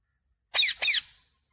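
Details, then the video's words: Quick two-part screech from a parrot, loud and rasping, the bursts almost joined, with silence before and after. "parrot Sound"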